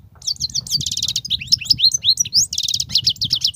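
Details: Wild European goldfinch, an excellent singer with 'betbetat' phrases: a loud, unbroken stream of rapid, bright twitters, sweet sliding whistles and short buzzy trills, over faint low background rumble.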